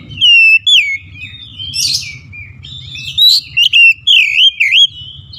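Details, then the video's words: Oriental magpie-robin delivering clear, ringing whistles that dip and rise, interspersed with quick chirps and short pauses, above a steady low background hum. Meant to restart singing in a dropped kacer. "Kacer ngedrop macet bunyi sekali dengar langsung gacor"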